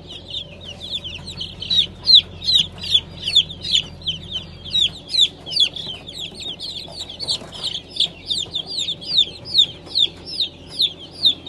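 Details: Fresh hatch of Brahma chickens, Light, Gold and Blue types, April 2020: loud, piercing peeps repeated about two to three times a second in a steady pulse, with a quieter chorus of other chicks behind.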